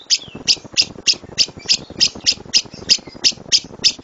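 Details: Lovebird 'tembakan' song used as a master recording for other birds: single sharp, squawky chirps repeated about every third of a second in an even series.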